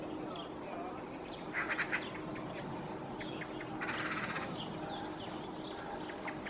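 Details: A Eurasian magpie perched high in a treetop in Helsinki, Finland, in January 2024 gives a soft, rambling, song-like vocalization for minutes: brief harsh chattering bursts and thin squeaky whistles over a low rumble.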